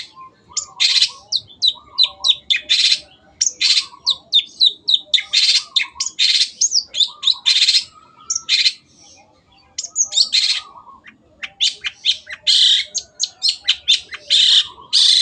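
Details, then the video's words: Long-tailed shrike (cendet) in continuous 'gacor' song used as training material for kept birds: fast, varied runs of high scratchy chatter and harsh buzzy bursts, pausing briefly before resuming. "MASTERAN BURUNG CENDET GACOR"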